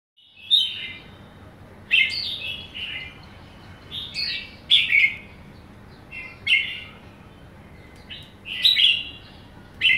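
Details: Young caged red-whiskered bulbul, a somersaulting bird called kekek, gives short liquid whistled phrases, each a quick burst of rising and falling notes, repeated about every one to two seconds over a quiet, faint background hum.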